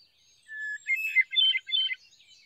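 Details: Hermit thrush singing in the USA: one long, steady, pure whistled note, then a quick flurry of higher, fluty, tumbling notes that rise and fall across three bursts before stopping.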